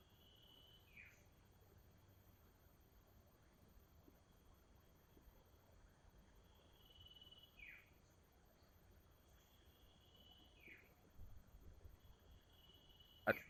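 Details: A wild common iora, one of a family group of about four in high terrain near a river, gives long, clear whistles that slide downward, about one every three seconds, over a steady high buzz of insects.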